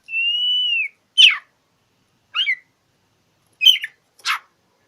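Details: Oriental magpie-robin in rival-challenging song, used to prompt silent birds to sing: a long, steady whistled note, then four short harsh, rasping bursts spaced about a second apart.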